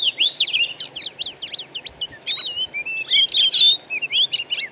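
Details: Wild Oriental magpie-robin (kacer) singing, played as a lure to set kept birds singing: a dense, fast stream of sharp rising and falling whistles and chips, barely pausing, then a few sweet slurred notes.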